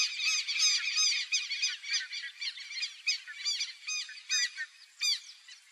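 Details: Female White-wedged piculet (Picumnus albosquamatus), free-living in Brazil, gives high, thin, squeaky notes: a dense twittering burst first, then sharp single chips spaced about half a second apart.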